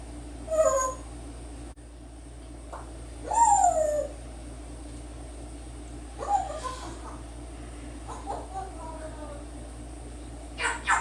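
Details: A 10-year-old male African grey parrot, a pet recorded indoors while it talks, whistles and sings: scattered short whistled and squeaky notes, some falling, some rising, with long quiet gaps over a steady low hum.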